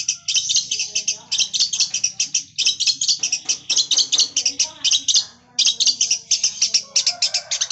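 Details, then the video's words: Long-tailed shrike mimicking a lovebird: dense, rapid high-pitched chattering and twittering that runs almost continuously, with a faint low hum and some softer background sounds. "cendet gacor suara Lovebird"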